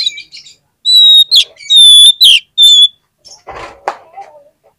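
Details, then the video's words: Oriental magpie-robin song used as a lure to make other magpie-robins sing: loud clear whistled notes held briefly with sharp harsh bursts between, followed by softer lower scratchy notes. "PANCINGAN KACER ANTI GAGAL !! KACER APAPUN DI JAMIN LANGSUNG NGOBRA ON NGUNCI"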